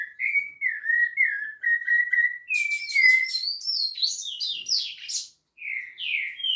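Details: Rufous-bellied thrush from Piedade giving a continuous song of short, fluty whistled notes repeated in a row, followed by a burst of rapid higher twittering and a few rising whistles.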